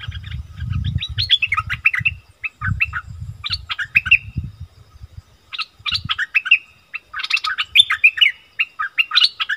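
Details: Wild striated bulbuls argue fiercely, recorded 8 February 2021: bursts of bubbly, chattering mid-pitched notes with quick rising and falling slurs in rapid sequences, over low rumbling handling or wind noise.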